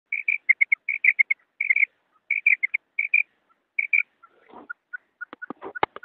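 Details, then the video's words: Female quail call: quick pairs and triplets of short high whistled notes repeated in bursts, then a few lower, softer single notes and sharp clicks. "female quail call maadi batair ki awaz"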